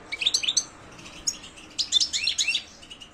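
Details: European goldfinch song in silvestrismo context: two lively bursts of rapid, tinkling, high twitters separated by a short pause, the notes sharp and liquid.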